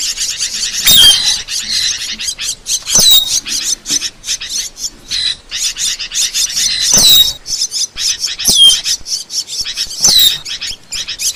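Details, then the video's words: Asian glossy starling singing, recorded as a training track for songbirds and for luring: busy high-pitched chattering broken by bright, downward-sliding whistles about every two seconds. "Masteran Burung | Cucak Keling"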